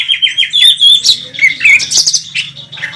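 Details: Contest-champion Oriental magpie-robin singing intensely on the competition track with a full repertoire; fast runs of whistled notes about four per second, bright slurred sweeps, buzzy chatter, and a low hum underneath.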